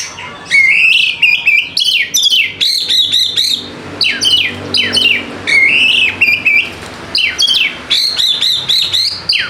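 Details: White-rumped shama lure song for quiet birds: a dense, nearly nonstop stream of rich whistles, rising and falling slurs, and harsh chattering notes.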